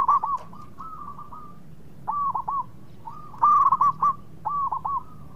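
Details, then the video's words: Zebra dove, local bird, singing to draw quick answers from rivals: clipped phrases of two or three hooked, bubbling coos, then a brighter rapid rolling burst. "PERKUTUT LOKAL GACOR BIANGANYA PANCINGAN LAWAN CEPAT NYAUT"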